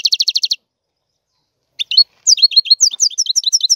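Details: European goldfinch giving a quick rattling trill, a short silence, then a tumbling series of bright, slurred twittering notes at high pitch.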